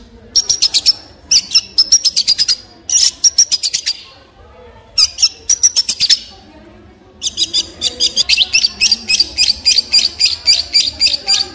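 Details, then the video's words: Long-tailed shrike, a noisy shrike of open Asian habitats, sings rapid runs of scratchy, rasping notes laced with a thin high whistle, several per second, broken by short pauses between phrases. "Long Tailed Shrike With Beautiful Sound"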